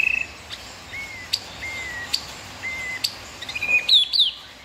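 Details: {'caption': 'White-rumped shama singing clear, steady whistles, each held about half a second and spaced roughly a second apart, ending in a quick burst of high twittering and slurred notes.'}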